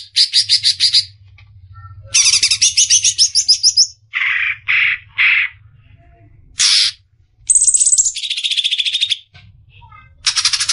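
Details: Cucak ijo, the greater green leafbird, delivering besetan song as a masteran for caged songbirds: separate bursts of shrill, buzzy chattering with short pauses, a few lower rasping notes midway, and a steady low hum underneath.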